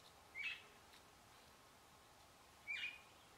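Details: Least sandpipers foraging in a group along the edge of a pond: two brief, thin, high calls spaced about two seconds apart against a quiet, steady background hiss.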